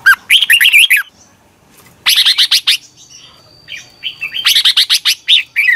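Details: Red-whiskered bulbul song, meant for training other bulbuls, with rapid bursts of bright, bubbly, warbled notes in quick phrases separated by short pauses, and a thin steady whistle in the background.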